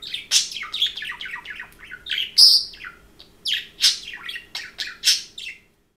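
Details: Budgerigar chattering indoors, a noisy talkative stream of varied warbling chirps and squeaky notes, some harsh, rising and falling in quick succession over several seconds.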